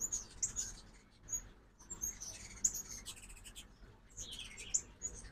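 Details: Ruby-throated hummingbirds visiting a backyard feeder in Oxford, Mississippi, on a fall migration morning: sharp, very high chips repeat irregularly, about every two seconds, mixed with short squeaky chatter.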